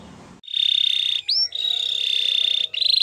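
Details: Canary singing in a recording meant to teach other canaries to sing: a long, even, rapid trill held at one pitch, broken by a brief upward-swept whistle, then the trill resumes.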